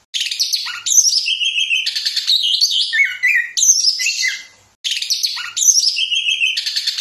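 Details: Fast, packed song from an orange-headed thrush, strings of high buzzy trills, bright whistles and descending slurred notes in long phrases, broken by one clear pause midway before resuming just as intensely.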